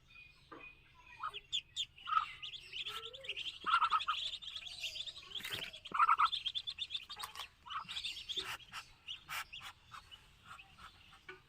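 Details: Muscovy duck chicks on a farm in Kamrup, Assam, giving scattered high peeps, some short and sharp, others in small bursts, with a few lower notes between them against faint background hiss.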